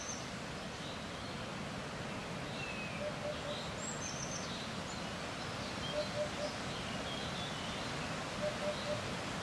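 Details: Eurasian hoopoe calling during an outdoor encounter on a windy day: muffled, deep hoots in groups of three, recurring roughly every two and a half seconds, with gusty wind noise and occasional high bird chirps.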